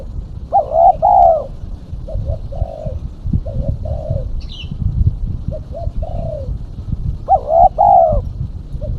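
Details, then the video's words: Female spotted dove calling as a lure: loud paired coos open and close the passage, with softer short coos between them. A brief higher chirp comes from another bird. "Suara burung tekukur betina /pikat tekukur betina"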